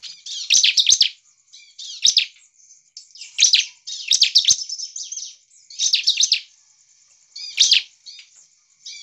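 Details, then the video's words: Bar-winged prinia singing vigorously, a song meant to provoke other prinias into singing: loud bursts of sharp, high chirps and trills lasting about half a second each, repeated roughly every one to two seconds, with short pauses. "CIBLEK GACOR ini Cepat memancing ciblek lain langsung ngamuk dan ikut gacor"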